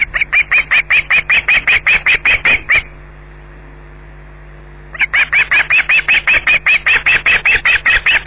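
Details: Loud, very regular squawking from an osprey being attacked at its Scottish nest: strident high calls repeat about two and a half per second, stop for two seconds, then start again at the same steady pace.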